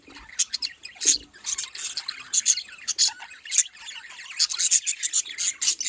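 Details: Budgies chirp in quick, sharp bursts with fine squeaky warbling, the high twitter rising and falling in steady pulses.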